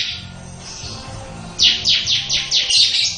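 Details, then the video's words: Bar-winged prinia in ngebren song: soft high notes at first, then a loud run of about seven sharp, downward-sweeping buzzy notes in quick succession, ending in a dense high twitter, with a low background hum. "Burung Ciblek Ngebren mantep luar biasa"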